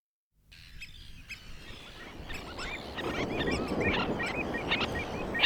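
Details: Common terns give social, conversational calls during interactions on their breeding grounds: short, sharp, grating calls traded in a busy, irregular exchange that builds in volume, with several birds calling over a steady background rumble.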